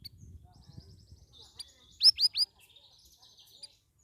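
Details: Caged Straw-headed Bulbul (cucak rawis), two weeks out of a communal holding cage and singing vigorously: three loud, quick, downward-sweeping whistled notes in a row, with soft high twittering before and after, in a quiet setting.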